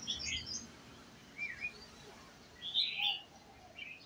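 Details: Red-whiskered bulbul, white-cheeked, at a coffee shop: a few short bright chirped phrases spaced by pauses, one louder warbled burst near the end, against soft background noise.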